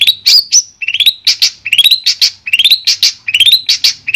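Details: Long-tailed shrike song for therapy of a silent shrike: rising whistled slurs, each followed by a burst of harsh scratchy notes, repeated in a lively rhythm about twice a second.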